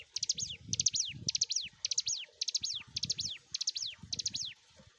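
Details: {'text': 'Prinia called ciblek gunung, a master recording for training: evenly paced phrases of high chips and a descending whistle, about two per second, over low rumbling knocks.'}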